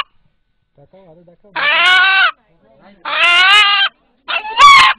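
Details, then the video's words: An eight-month-old pet rooster in a Bangladeshi village, whose call when frightened locals compare to "Allah Allah," gives three loud, hoarse, drawn-out calls, each under a second and about a second and a half apart, with faint murmuring before. "উপস্থিত যারা এই মোরগের ডাক শুনলেন এখন তাদের সাথে একটু কথা বলি"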